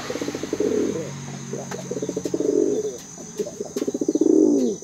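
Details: Blue-silver male pigeon energetically calling its female, giving three repeated bursts of rapid pulsed, low rolling cooing, each rising into a louder throaty swell, with light rustling in the background.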